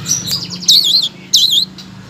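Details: Blue-crowned laughingthrush singing as a master song for silent songbirds: two bursts of high, wavering, buzzy whistles about half a second apart over a faint low hum.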